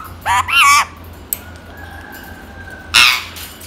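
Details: Tame white female Indian ringneck parakeet talking: a brief wavering, harmonic utterance near the start, a faint steady whistled tone in the middle, then a short harsh burst of sound at the end.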